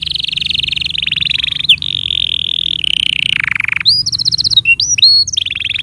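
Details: Tutor song for young and silent canaries: a long continuous rolling trill shifting between pitches and dipping lower, followed by bright rising whistled notes in quick bursts, then a renewed roll.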